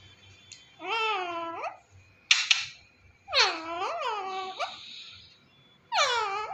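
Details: A pet talking parrot, raised from a baby, gives three drawn-out, voice-like phrases that rise and dip in pitch, separated by pauses, with a brief harsh scratchy burst between the first two.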